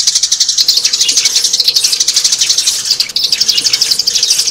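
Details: Sparrow chorus for luring birds into traps, with high, rapid chirps about four a second blending into a continuous, noisy twittering.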